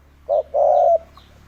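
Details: Spotted dove lure call, played to provoke wild doves: a short mellow coo followed by a longer, steady, hollow coo. Nothing else is heard.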